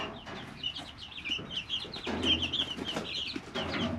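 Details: Chicks aged three weeks in their brooder give busy high-pitched cheeps in fast runs, with a low hum and rustling bedding in the background.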